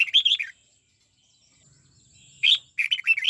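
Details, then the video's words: Caged red-whiskered bulbul being trained in the "89 xoắn tít" song style: a short burst of warbled, slurred notes, then a pause of about two seconds and a second, longer run of quick rising and falling phrases. "Luyện chào mào hót giọng 89 xoắn tít nghe cực phê"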